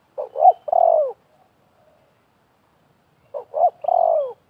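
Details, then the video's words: Spotted dove calling in a contest between a wild bird and a trapping decoy in 2024; two identical phrases, each two short coos then a long falling one, separated by about three seconds of quiet. "TERKUKUR LIAR DAN PIKAT BERADU/BERLAGA HEBAT"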